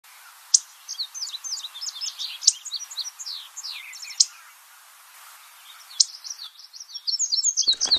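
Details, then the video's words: Indigo bunting, a little blue bird, singing quick runs of high, sweeping notes in a bright jumble, broken by a few sharp clicks and a brief rustle at the end. "A little blue bird,the double enjoyment of seeing and listening.Wildlife birds,indigo bunting."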